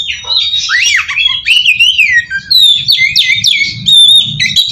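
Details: Oriental magpie-robin lure song for drawing responses from untrained magpie-robins. Continuous warbled whistles sweeping up and down, interspersed with quick chips, against a steady low hum.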